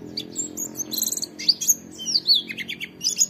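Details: Oriental white-eye "wit wit" training recording: a muddled mix of high slurred whistles and rough buzzy notes, more varied than clean falling chips, over a noticeable low hum.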